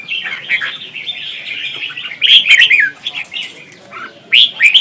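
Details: Red-whiskered bulbul in a singing contest in Vietnam, used as a lure bird to train and stir other bulbuls to sing: lively warbled phrases of bright whistles and chirps, loudest bursts near the middle and end.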